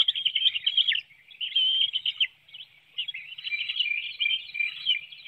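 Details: Bald eagle family at a Hanover, Pennsylvania nest, 7:04 a.m. on 9 June 2019, during a fish feeding of the young; three bursts of high, rapid, squealing chatter split by short pauses, webcam recording.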